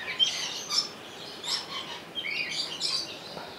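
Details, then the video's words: Rainbow lorikeet at Opole Zoo, Sony HDR-XR160E camcorder: rapid, rasping chatter of short high squeaks and screeches, nearly continuous, with a sharp whistled chip near the start. "Rainbow Lory in Opole Zoo"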